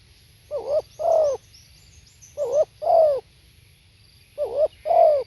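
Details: Spotted dove recorded live, repeating a two-part coo three times about two seconds apart: a brief wavering note followed by a fuller, downward-sliding coo. Faint higher chirps in the background.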